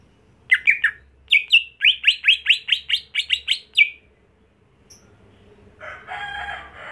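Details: Greater green leafbird pouring out a rapid string of about fourteen rising chirps over three seconds, then a pause before a burst of broad, noisy rustling sound.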